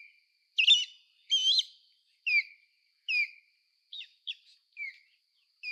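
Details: Osprey with two harsh, buzzy chirp bursts followed by a spaced series of short, falling whistled yelps, quieter toward the end, with no other sounds.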